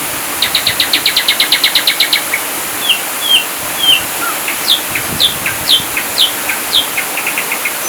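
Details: Ashy drongo masteran, sung 'full tembakan': a fast trill of a dozen sharp notes, then varied downslurred whistles and steep descending sweeps, with a few soft chips at the end.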